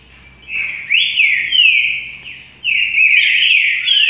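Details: Rufous-collared sparrow 'trinca' song: two bright whistled phrases, each of sweeping, slurred notes that rise and fall, separated by a short pause; faint low hum underneath.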